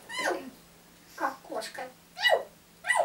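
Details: Pet grey parrot that rises very early and wakes everyone, giving about four short, harsh bark-like bursts a second apart imitating a dog, in a small room as its owner prompts animal sounds.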